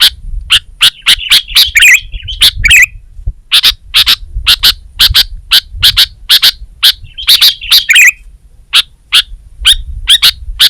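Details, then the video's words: Gacor kutilang, the sooty-headed bulbul, in a steady run of crisp clicking chips, with two short chattering, warbling bursts that slide downward between them; faint low background rumble. "Suara Burung Kutilang Gacor"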